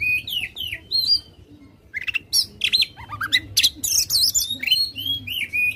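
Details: Aggressive white-rumped shama opening its tail, a lure for making a lazy shama sing; clear slurred whistles, brief pauses, then harsh chattering bursts and rising whistled notes.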